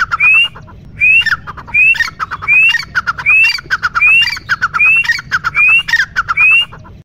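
Grey francolin calling loudly: harsh, clipped phrases, each with a sharp rising whistle, repeated about nine times in seven seconds over faint background hiss.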